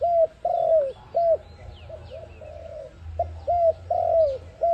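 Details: Dense run of low coos from an ARIMIX dove, a trapping lure sound: short clipped coos mixed with longer falling coos in quick succession, light chirping of small birds high above and a low rumble.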